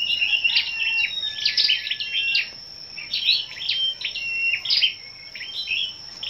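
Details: Morning competitive song of assembled scarlet-backed flowerpeckers, 10/05: dense runs of crisp high chips mixed with short steady whistled tones, delivered in quick bursts over a continuous high whine.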